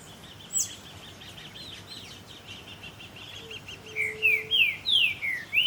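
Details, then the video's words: Green-winged saltator song recorded in Puerto Iguazú with natural ambient sound: faint distant chirping at first, then a strong run of five or six rich, downslurred whistles in the final two seconds. "CANTO DEL PEPITERO VERDOSO EN PUERTO IGUAZÚ"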